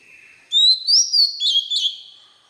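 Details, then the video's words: White-rumped shama song played for training young birds: a low steady note, then a bright rising whistle breaking into several rapid whistled phrases around the same high pitch, fading out. "Luyện Giọng chòe than, ép giọng chòe than, cho chim non học giọng"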